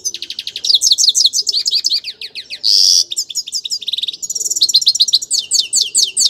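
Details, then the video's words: Grey-crowned goldfinch in full song, delivering a long varied stream of quick high twitters and slurred notes, interrupted by a short harsh buzzy rasp, then resuming rapid bright chatter; recorded close with little background. "Пение щегла | пение седоголового щегла. Красивое пение !"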